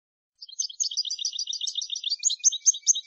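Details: European goldfinch song meant for teaching young birds, from an Andalusian Hunting Federation tutoring CD: a lively, jumbled stream of tinkling, twittering notes, growing slightly louder and more varied toward the end.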